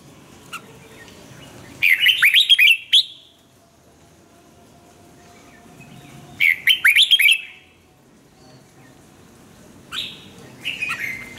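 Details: Red-whiskered bulbul singing, recorded for song training: three lively phrases of rapid, bubbling whistles about four seconds apart, the last one quieter.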